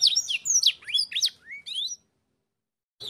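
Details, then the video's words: Black-throated canary tutor song for training canaries: a quick burst of high, sharply sweeping whistles and chirps lasting about two seconds, ending with rising slurred notes, then a pause before another note begins. "Pancingan kenari lagu Blackroat ampuh buat masteran kenari isian"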